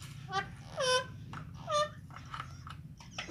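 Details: Rose-ringed parakeet playing and feeding indoors: harsh, harmonic squawks that drop in pitch, given in short bursts about a second apart over a steady low hum.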